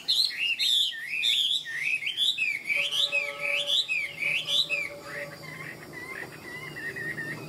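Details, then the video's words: Tame caged Chinese hwamei, described as a good fighter, singing in the ngũ trường style: a fast run of loud, looping whistled notes rising and falling, repeated about twice a second, then softer lower warbles and a faint steady hum. "Họa mi ngũ trường"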